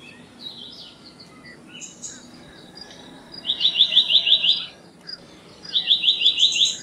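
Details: Black-naped monarch song: a rapid, even series of six or seven sharp high piping notes, given twice with a short gap, over soft background chirping from other birds.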